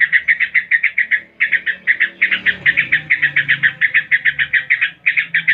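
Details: Yellow-vented bulbul singing in the ngebren style with rapid 'tembakan' shooting bursts: fast, buzzy chattering notes strung in dense runs of about a second, briefly broken by short pauses, over a faint low hum.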